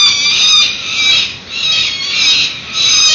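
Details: Young peregrine falcons on a San Francisco nest ledge, webcam, 7:10 am on 1 May 2019, the morning before their first fledge: harsh, grating, drawn-out screams run almost nonstop, swelling and easing in loudness with brief dips.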